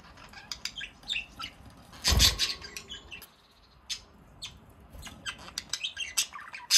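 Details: Two pet budgerigars on a balcony in Baunatal, Hessen, Germany, recorded 27 March 2023, giving scattered short chirps and warbles with a loud burst of rustling noise near the middle.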